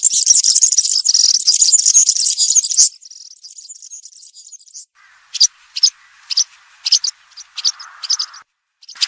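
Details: Campero-style song of a European serin, used to train young birds: about three seconds of loud, high, jingling twitter, then a softer run followed by sparse sharp chips over a faint hiss.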